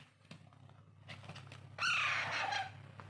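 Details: During hand-feeding, a young Alexandrine parakeet gives a single harsh, slightly falling screech after a stretch of steady low hum and faint clicks.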